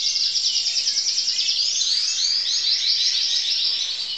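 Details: A 2012 recording of a crested canary in song: quick high trills and chattering rolls pour out without pause, shifting between tours of rapid repeated notes and swooping warbled phrases.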